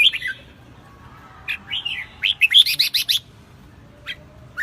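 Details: Red-whiskered Bulbul song: a few sliding whistles, then a fast run of sharp chirped notes, followed by a pause and a single call, over a steady low background noise.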